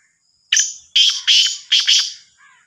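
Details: Black francolin, the Sindhi kala teetar of the Sahiwal type, giving a loud, harsh, grating phrase of five rasping notes in under two seconds, the last two closely paired, then a faint softer trailing note against a quiet background.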